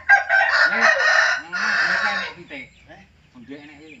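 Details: Crowing hen, a rare female chicken that crows: harsh, strained crow in two long bursts, followed by softer clucks and faint voices.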